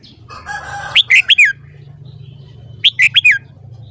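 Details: Red-whiskered bulbul singing in the morning, two matching phrases of four fast, liquid whistled notes ending in a downward slur, preceded by a short harsh rattle, over low background hum.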